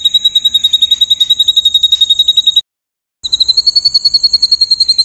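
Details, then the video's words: White-rumped shama in rough 'tembakan' style: a long series of sharp, high piping notes repeated several times per second, pausing briefly, then resuming slightly higher and more insistent. "MASTERAN MURAI BATU FULL ISIAN TEMBAKAN KASAR"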